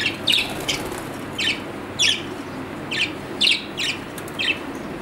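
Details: Captive pet budgerigar giving short, sharp chirps, singly or in pairs, roughly every half second, against a steady background hiss.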